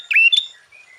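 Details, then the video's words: Sooty-headed bulbul song used to provoke other bulbuls: a short burst of two bright, slurred whistled notes, the first dipping then rising, the second higher and sharper, followed by faint softer notes. "Suara Burung Kutilang Gacor KUTILANG FULL ISIAN Ampuh untuk menaikkan Mental EMOSI Kutilang Lain."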